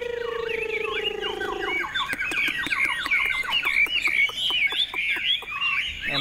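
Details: A tame, caged Chinese hwamei sings while flicking its tail, imitating a laughingthrush: a rapid run of loud, slurred whistles, rising and falling notes repeated more than twice a second; a steady electronic tone sounds at the start.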